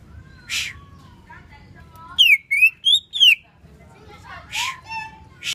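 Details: Greater green leafbird from Banyuwangi: loud, clear whistled notes, four ringing upslurred-then-falling phrases in quick succession, framed by softer lower whistles and brief bursts of high hiss.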